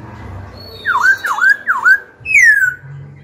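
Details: Three ringing dip-and-rise whistles followed by a single long falling whistle from a Black-throated laughingthrush, a song used to stir rival birds to fight and to train the voices of young birds.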